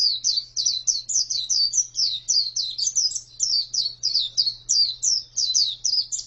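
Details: Female white-eye singing a fast, continuous string of high, squeaky, falling chirps at several notes per second. A constant faint low hum runs beneath the song.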